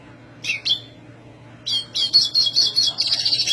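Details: Black siskin singing energetically in a high voice: two short chirps, then a fast run of bright, high twittering notes about three per second, rising into a dense buzzy trill.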